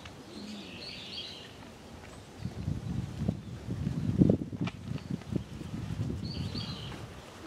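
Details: Female emu at Tama Zoo, Japan, filmed in January 2023, giving her drum-like call, like a light tapping on a drum: a run of deep, hollow thumping pulses in quick succession, with faint chirps of small birds behind.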